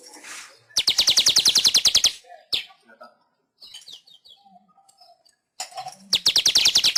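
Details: Weaver song from a training recording for pet birds: rapid, evenly spaced dry ticks in a fast chattering burst, a short break with faint scratchy notes, then another fast ticking series.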